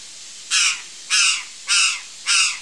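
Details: Four rough, rasping caws of a curl-crested jay, evenly spaced about 0.6 seconds apart, each harsh and noisy with a slight downward slur, against a calm, quiet background.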